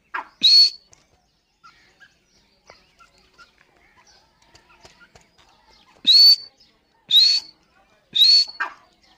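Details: Female grey francolin, known as dakhni teetar, calling with bright, upslurred whistles: one early note, then a long quiet gap with faint ticks, then three calls about a second apart.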